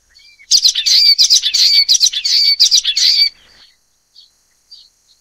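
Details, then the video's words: A Common Waxbill (Estrilda astrild) gives a quick, buzzy run of high chattering notes for about three seconds, then a few faint soft chips. "橫斑梅花雀/Common Waxbill"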